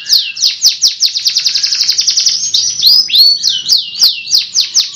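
A canary sings a fast, rolling series of bright descending chirps, speeding into a rapid trill before slowing to looser swooping notes.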